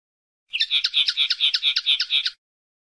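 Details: Common linnet (pardillo or pajarel) delivering a steady trill of evenly spaced twangy notes, roughly nine in under two seconds, uniform in pitch, starting after a brief silence and ending abruptly.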